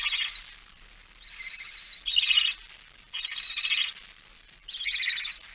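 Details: Barn owl with a mouse on 17 September 2019 at 06:11, giving a steady series of harsh, airy hisses about a second long, one every second or so, with little else audible.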